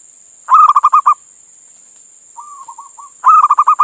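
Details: Indonesian local male zebra dove calling a hen, as a lure for other doves. A rolling string of six rapid coos, a soft drawn-out fluttering note, then another rolling phrase begins, with steady background hiss.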